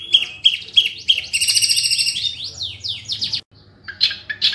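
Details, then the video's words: Long-tailed shrike singing a fast, dense medley of high chattering notes, rapid trills and sweeping whistles, barely pausing; a low hum runs underneath. "Cendet Gacor Full Materi Speed Rapat Roll Tembak"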